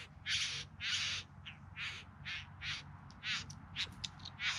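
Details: Courtship singing of bowerbirds in the Yarra Valley just outside Melbourne, September 2020: rough, rasping buzzes alternate with shorter scratchy notes in an uneven rhythm, the strongest bursts early on, above a low hum.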